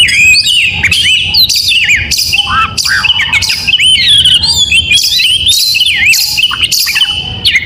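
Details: Oriental magpie-robin song in the morning, lively and continuous: warbled whistles, swooping slurs and scratchy chatter repeated in short rapid phrases for nearly eight seconds.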